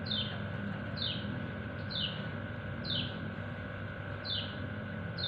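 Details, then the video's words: Kecial kuning white-eye calling for its companions: five evenly spaced, clear, falling high chirps about one per second over a low rumble and a steady hum. "Burung Kecial kuning ciak ciak manggil temennya"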